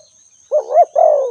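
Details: One spotted dove phrase: a rising, slightly quavering coo that peaks and breaks, then a sustained mellow coo that sinks gently in pitch, over a faint constant high hum.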